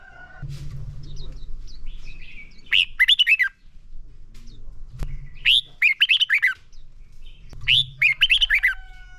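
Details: Red-whiskered bulbul song for training caged birds: three energetic phrases of quick, warbled, swooping notes, roughly every two and a half seconds, with soft high chips between and a low humming drone underneath.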